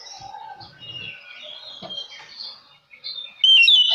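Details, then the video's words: Quiet jumble of varied whistled and chattering notes from an oriental magpie-robin lure song meant to provoke other males, ending in a sudden loud, clear whistled phrase. "Kacer Lain Pasti Langsung Konslet Mendengar Suara Pancingan Kacer Gacor Ini"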